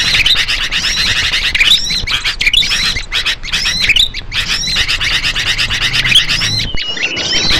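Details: Small birds' calls used to lure small birds: a dense, continuous stream of high chirps, squeaky slurred whistles and short twitters, with a steady low background rumble throughout and a sudden brief break near the end.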